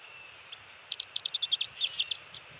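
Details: Bald eagle nest on Captiva/Sanibel Island, Florida, December 27, 2020, early-morning adult shift change while two-week-old eaglets are fed fish; a quick run of about a dozen high, clipped chirps over a soft background hiss.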